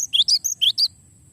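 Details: Rolling song of a gelatik batu (Cinereous tit), used to train songbirds: five quick, piercing, rising chirps in under a second, then low hum only.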